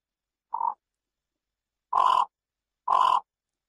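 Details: Yellow bittern giving three harsh, croaking calls, a short first note, then two longer raspy ones about a second apart, against a silent background.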